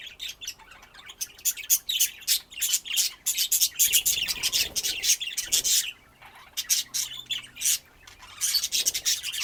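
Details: Lively budgerigar warbling for several seconds: dense, rapid high chirps and raspy twitters with a brief pause before chattering resumes strongly.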